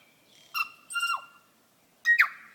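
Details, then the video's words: Tui song on an evening walk where many tui are about: two clear ringing tones with bright overtones, the second bending downward, then after a brief pause a loud rich note that swoops and fades. "Tui bird singing"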